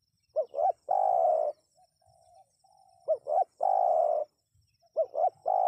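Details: Spotted dove, played to bring wild birds to answer. Three phrases, each two short upswept coos then a long husky croon, with faint soft trailing notes in the gaps and a thin high whine behind.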